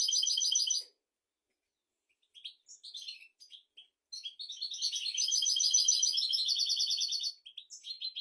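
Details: European goldfinch song meant to tutor goldfinches and canaries: an opening burst of rapid trilling, a silent gap, scattered sharp tweets, then a long three-second run of fast, buzzy, tinkling twitter and more chips.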